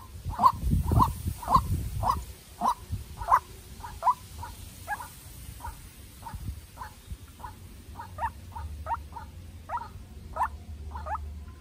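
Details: Young decoy White-breasted waterhen in a fight with a wild bird. A rhythmic string of short notes fades slightly and becomes more uneven, while rustling thumps sound at the start.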